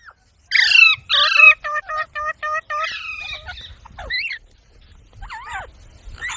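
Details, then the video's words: Talking parrot, said to copy human speech, opens with two loud harsh squawks, then a steady series of six short even notes, followed by softer wavering and warbled tones. "Talking parrot video| Parrot sounds videos Compilation | mitthu mitthu | parrot voice"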